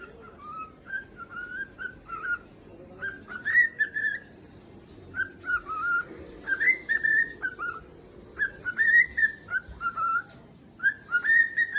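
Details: A cockatiel gives loud, repeated whistled calls rising and falling in short slurred phrases, apparently trying to wake its owner upstairs.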